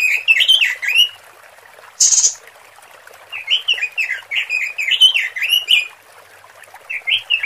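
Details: A female red-billed leiothrix call used to lure males gives quick, bright warbled notes, rising and falling in short bursts, with one brief harsh rasp partway through.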